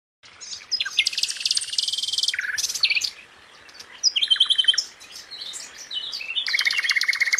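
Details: Flycatcher (sikatan) in a long, continuous song: dense bursts of high, rapid chirps and buzzy trills, shifting phrases with brief pauses, strong and close.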